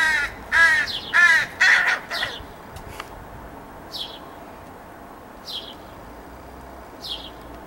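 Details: A young crow whines at its parents in summer 2017: three loud, coarse, nasal calls in quick succession open the recording, then only sparse thin, high, descending chirps follow at intervals of about one and a half seconds.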